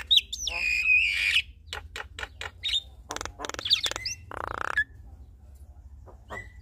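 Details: Javan myna pair, male and female, duetting and unloading their repertoire. A long wavering whistle opens, followed by rapid dry clicks, squeaky upslurs and a harsh buzzy burst, then near-quiet.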